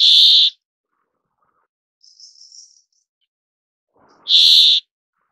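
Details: Brambling (Fringilla montifringilla) gives two harsh, nasal, buzzy calls about four seconds apart, each about half a second long, with a faint softer buzz between them.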